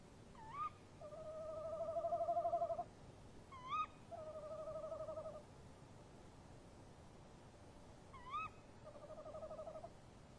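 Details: Male and female tawny owl calling to each other at a nest box at 03:07 on 23 March 2015; the male opens and the female answers. Three sharp, rising, shrill calls alternate with long, wavering, tremulous hoots, each pair following the other within about ten seconds, on a quiet night background.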